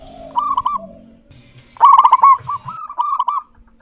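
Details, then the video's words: Local zebra dove, a clear-voiced perkutut singing, with a rapid stuttering burst of notes followed by a series of short warbling coos around a steady mid pitch, softer coos before it and quiet low thumps underneath. "Perkutut lokal GACOR suara jernih"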